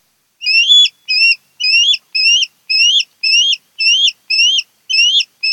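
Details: Osprey calling from a nest on Kent Island, Maryland, used by a mated pair, recorded by nest cam 08-10-2018: about ten bright whistled notes with upturned ends, repeated at a steady pace.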